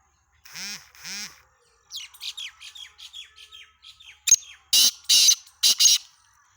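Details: Black francolin (kala teetar), recorded 17 February 2023: two low, harmonic-rich nasal notes, then a quick run of high, downward-sweeping chirps, ending in three loud, harsh, broadband rasping bursts. The background is quiet.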